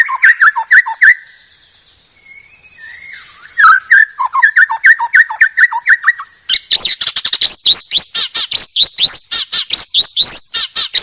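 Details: Master song of a Medan white-rumped shama used to train caged birds: a quick series of falling notes, a short quieter pause with soft warbles, then a dense, very rapid high trill.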